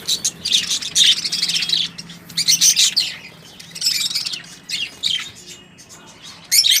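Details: Captive budgerigars in a home setup, including red-eyed lutino and albino birds, chirp in quick bursts of bright, scratchy twittering with short pauses between.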